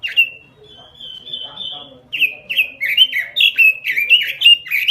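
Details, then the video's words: Gacor robin song: one sharp note, a long level thin whistle, then a rapid, loud cascade of slurred whistled notes lasting nearly three seconds. "SUARA BURUNG ROBIN GACOR"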